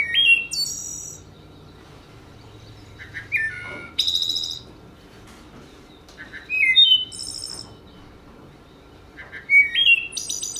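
Wood thrush song: four flute-like phrases about three seconds apart, each with clear low notes rising into a high, buzzy trill. Faint background hiss.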